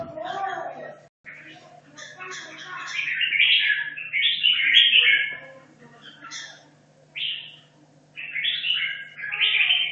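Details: Hanoi red-whiskered bulbul, caged for two and a half years, practising competition singing: after a muddled start, loud jumbled warbled phrases rise mid-clip, followed by three shorter bursts separated by pauses, with constant background hum.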